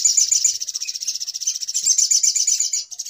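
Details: Noisy little spiderhunter call used as a trapping lure: a continuous, very fast, high-pitched chatter of rapidly repeated notes that runs the whole time and barely pauses.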